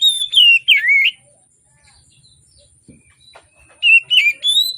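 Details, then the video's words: Morning song of an Oriental magpie-robin, used to coax reluctant birds into singing. Loud, slurred whistled notes at the start, then a near-silent gap, then another burst of rising and falling whistles. "Kacer Gacor Di Pagi Hari, Pancingan Kacer Sulit Bunyi dan malas Bunyi"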